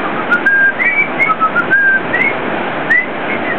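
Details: Parrots at a beach restaurant (chiringuito) show: clear whistled notes, some flat and some rising or falling, given in short phrases over steady background murmur.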